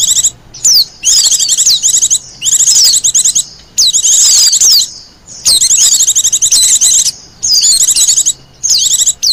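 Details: Wild Japanese white-eye for lure and master song use, singing repeated shrill twittering bursts of one to two seconds, fast notes and slurred whistles alternating with short quiet gaps.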